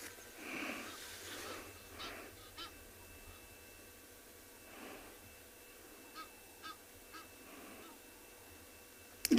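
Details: Egyptian geese call in the distance from a swamp at sunrise on 16 October at Tswalu Kalahari Reserve, South Africa, on a warm morning: hoarse honking in several short bursts, with a low steady hum and a loud knock at the end.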